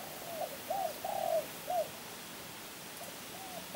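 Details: Spotted dove cooing: a few soft, low, hooked coo notes in a short phrase, then quieter faint coos, over a steady hiss of background noise.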